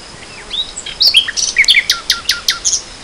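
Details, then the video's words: Nightingale heard in spring 2014, giving a lively phrase of slurred whistles that quickens into loud crisp notes repeated about five times a second. "Le chant du rossignol"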